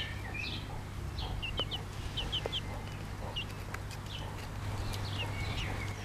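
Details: Pekin bantam chicks, bobtail colour, beside their mother hen give short high peeps sliding downward, often in quick pairs or triplets, with some clicks and a low hum beneath.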